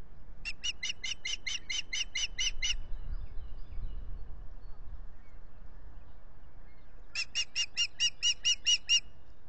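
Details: At dawn on 9 April 2021, an osprey pair mating at their Salt Point nest by a lake, recorded on a nest camera, gives two runs of about ten quick, sharp whistled chirps separated by a quiet gap, with low rumble beneath.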